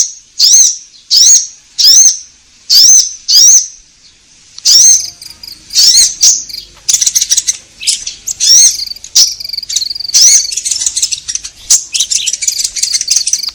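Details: Orange-headed thrush used as a lure for caged birds: five clear whistled phrases, rising then falling, repeated about every 0.7 seconds, then the song turns into a denser, fast, varied high warble.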